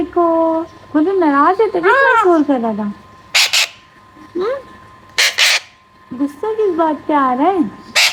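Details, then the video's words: Baby Alexandrine parakeet calling: wavering, nasal harmonic cries that rise and fall, broken by several harsh broadband screeches, with quiet gaps between bursts. "Alexander Parrot Baby Sound"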